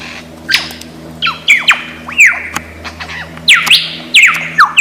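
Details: Mimicking lyrebird from Australian forest. It gives a varied run of sharp downward-swooping whistles and bright chips in quick, irregular succession, some loud and clear, others fainter and overlapping.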